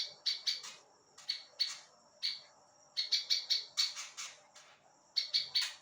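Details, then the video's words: Prinia singing, recorded for teaching songs to other songbirds: repeated clusters of bright, high chips delivered in rapid groups with brief gaps between them. "GOCOR CIBLEK ILALANG"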